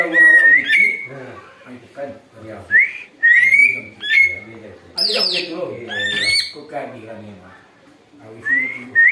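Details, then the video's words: Greater green leafbird calling busily for luring, known to imitate an eagle: rapid rising whistles and warbles, a harsh falling squeal midway, dense lower chatter, then a quiet pause before more whistles. "cucak ijo ribut bisa tirukan suara elang"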